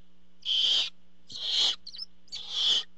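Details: Barn owls on a nest camera, the father arriving with a treat; three harsh hissing screeches in quick succession, with a small squeak between the second and third.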